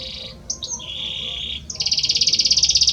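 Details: Short stretch of a male Belgian canary's song to his female: a buzzy trill with a sliding whistle, then a fast, high pulsing trill.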